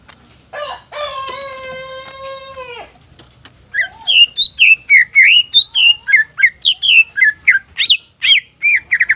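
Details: Greater green leafbird song used as bait to provoke other leafbirds into singing. A long, steady, harmonic droning tone comes first, then a rapid run of sharp, clear whistled notes, bent up and down, repeated about three per second.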